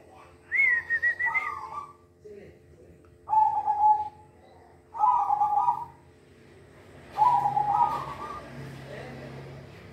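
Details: Silver-variety zebra dove song, described as energetic and sweet: a high trilled note opens, then three rolling, bubbly coo phrases spaced about two seconds apart, with a steady low background hum.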